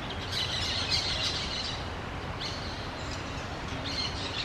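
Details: Several orange-chinned parakeets chatter with sharp, high, buzzy chirps, loudest in the first second and a half, then returning in shorter bursts near the middle and end, above a constant low-pitched hum.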